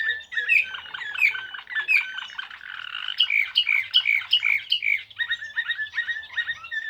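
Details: Serbian blue canary singing in the Slavujar style: a fast, continuous run of bright chirped and rattled notes, with short phrases repeated in quick series and a clear high twitter at the end.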